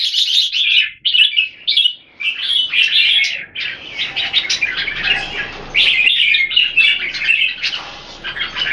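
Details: Kept red-whiskered bulbul song from Singapore, two birds compared: rapid, high chirps and warbles in short clustered phrases separated by brief pauses, running steadily throughout.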